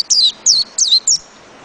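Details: White-eye singing four quick, high, thin whistled notes, each sliding downward, spaced about a third of a second apart over a quiet background.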